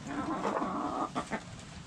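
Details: Backyard hens and roosters: a brief harsh, nasal squawk lasting about a second, then two short clucks, over steady low background noise.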